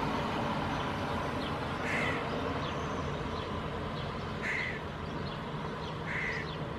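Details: Fledgling Hooded Crow calling in a Helsinki park, Finland, June 2022; three short, harsh, nasal calls spaced about two seconds apart, heard over a constant low rumble of background noise.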